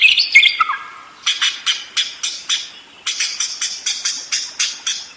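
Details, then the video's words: Budgerigar chattering: a short warbled phrase, then harsh, buzzy squawks repeated about four times a second in two runs. "SUARA BURUNG PARKIT ‼️ NGEROL DERES GACOR DOR"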